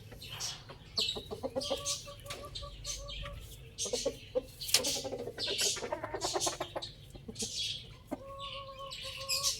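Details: Rooster crowing loudly: a long, steady, harmonic drawn-out note early on and another near the end, with frequent short clucks, chirps and rustling between them.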